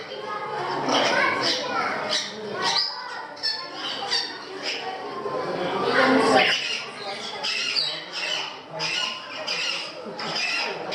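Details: At a parrot aviary in Gdańsk, Poland, several parrots give harsh, screeching squawks in overlapping bursts every second or two, with people talking faintly in the background.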